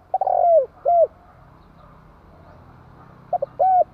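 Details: Decoy spotted dove calling: a long descending coo and an arched coo, then near silence for over two seconds before two clipped hoots and another arched coo, low and soft.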